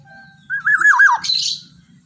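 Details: Black-naped oriole, Javan golden oriole, singing loudly in the morning: a single fluting, warbled phrase with wavering whistled notes, followed by a brief harsh buzzy note; low hum in the background.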